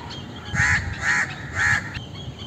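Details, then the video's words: An Indian crow gives three harsh, nasal caws about half a second apart over a low background rumble. "Indian Crow Sound"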